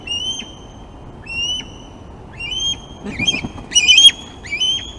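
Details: Osprey calling at the Glaslyn nest on a 26 August feeding day. Spaced, clear whistled notes are repeated about once a second, with a short burst of rustling or flapping near the end.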